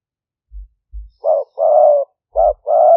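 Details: Spotted dove of a fierce-tempered decoy strain, recorded live at a dove-keeping camp in Roi Et province, Thailand, as a lure for wild doves: low soft thumps, then two pairs of mellow cooing notes, a short coo followed by a longer drawn-out one.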